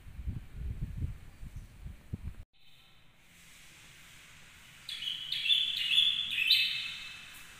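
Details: Canary singing a model song for training other canaries. Low rumbling noise comes first, then a pause, then a bright, high, rolling trill broken into short pulsed phrases.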